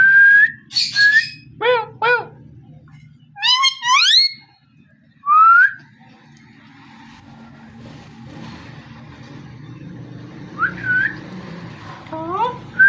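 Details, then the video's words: Parrot vocalising: short rising whistled notes and harmonic, squawk-like upward sweeps in scattered bursts, with quiet gaps and a steady low hum underneath. "Amazing parrot so cute talking and voice"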